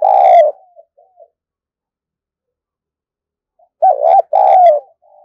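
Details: A decoy spotted dove ends one coo, pauses in silence, then delivers another loud two-part phrase. The phrase opens with a brief wavering note, then a sustained note, and a faint soft note follows.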